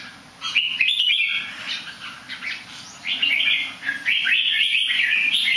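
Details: A bird singing nicely while flipping over slightly: rapid chattering phrases of rising and falling whistles, running almost continuously in the second half, with soft clicks and a steady low hum behind.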